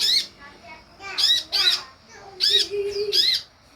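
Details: Sunbird call used as a lure to draw responses: bursts of shrill, strained squawks, partly doubled, separated by short pauses, with a steady low tone running through one gap.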